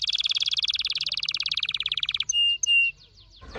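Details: Orange-red Red Factor Canary delivering a long, rapid buzzy trill for about two seconds, then two sustained flat whistles and faint falling notes, ending with a brief rustling noise.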